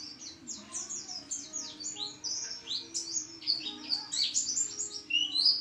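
A white-eye sings a fast, unbroken stream of very high, thin twittering notes, sliding up and down, with a faint low hum underneath.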